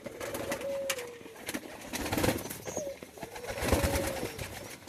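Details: Hungry pigeon in a cage begging in summer heat: thin whistled notes rising slightly then falling away, repeated about every three seconds, with scratchy clicks, wing shuffles and rustling noise throughout.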